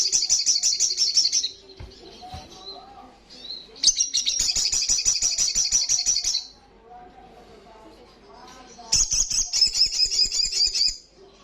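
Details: Olive-backed sunbird delivering loud, fast ngalas song. Rapid high buzzy trills come in three long bursts with quiet gaps between them, and faint lower warbles can be heard during the pauses.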